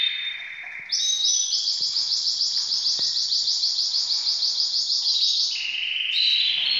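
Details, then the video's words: Canaries, several birds all ready for breeding, singing a bright, rapid song of fast repeated high trills in series, shifting between steady rolling runs and short whistled notes, with a few faint clicks behind. "طيور الكناري كلها جاهزة للتناسل"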